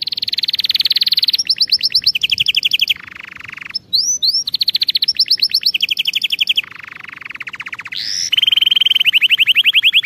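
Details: Training song for canaries: loud, varied canary song with rapid high trills, lower rolling tours and sweeping upslurred whistles, each tour held one to two seconds before changing.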